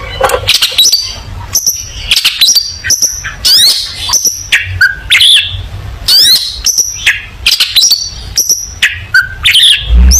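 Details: Long-tailed shrike singing energetically as training material for young shrikes: bursts of varied high whistles, steep slurred notes and scratchy chatter in rapid phrases, with brief pauses between runs.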